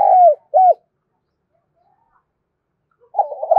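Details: Spotted dove used as a decoy to draw wild doves into cooing; the end of one phrase with a falling coo and short arched note, a long silence, then the wavering start of the next phrase.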